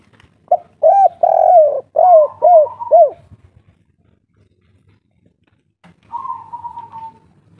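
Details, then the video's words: Local wild spotted dove from Java singing in the three-note kuk 3 style: a series of low, hollow, rounded coos, one drawn out longer. After a pause comes a flatter, higher, steady tone. "derkuku kuk3"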